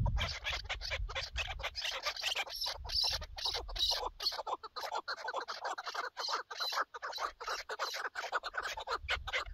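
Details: During partridge hunting, a chukar partridge delivers an extended, irregular chatter of dry, scratchy clucking notes, several per second, with faint low rumble beneath.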